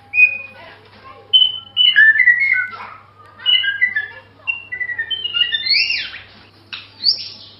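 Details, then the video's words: White-rumped shama song of rich whistled notes, slurred up and down in quick varied phrases, ending in loud rising and falling sweeps, with a faint low hum behind. "MASTERAN MURAI SUARA MERDU"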